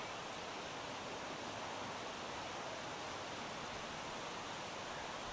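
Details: Even, rushing hiss like flowing water beside a creek after dark in Melbourne, with no call standing out.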